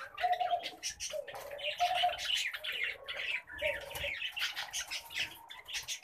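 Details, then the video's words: Several pet common babblers chatter in harsh, wavering bursts of nasal notes, some with a clear whistled tone, repeated in clusters about every second. "PET Common Babblers"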